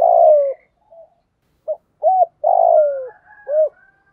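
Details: Spotted dove cooing in the 'giọng thổ' singing style, used to lure wild doves to a decoy: a long falling coo, a pause, short clipped notes, then another long sliding coo and a final arched note.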